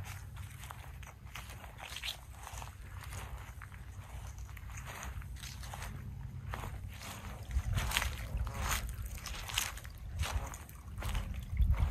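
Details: Outdoor lakeside noise with footsteps, sloshing and low rumble, and no animal calls heard.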